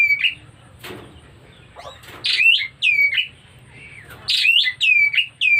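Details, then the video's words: White-rumped shama in breeding condition, clear whistled and slurred notes given in quick runs, mixed with a few harsh rasping sounds and soft clicks, low hum behind. "Pertanda Burung Kacer Mulai Birahi"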